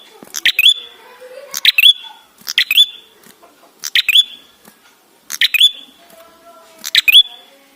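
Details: Ashy tailorbird (red-headed prenjak) song used as a lure to make birds sing: sharp clicking bursts ending in a bright upslurred whistle with a level trailing tone, six phrases at irregular intervals of roughly one to one and a half seconds.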